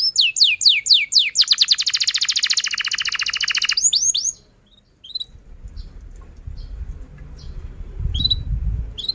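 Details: Canary song used to lure young and stalled canaries into singing: looping swept notes and a fast buzzy trill for about four seconds, then near silence with a few faint distant chirps and low rumbling.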